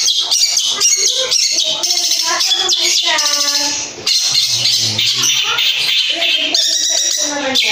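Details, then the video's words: A long-tailed shrike, recorded as a lure to prompt other shrikes to answer, sings a dense, loud run of harsh squawks mixed with rapid mimicked chirps and whistles, pitched high and delivered without pause. "SEKALI PANCINGAN CENDET APAPUN💯%PASTI NYAUT DAN IKUT BONGKAR MATERI FULL ISIAN MEWAH"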